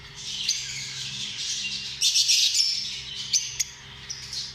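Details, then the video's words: Shrill chattering from lovebirds, small social parrots: overlapping high squeaks and harsh chirps, a louder burst midway and two sharp clicks near the end, over a steady low hum. "Amazing sound of love birds"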